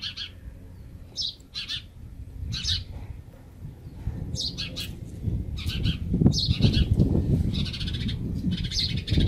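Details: House sparrow chick placed in an old palm-tree nest, begging on meeting its mother: bursts of high, sharp chirps, some in quick doubled pairs, over a rough low rumble of wind or handling noise.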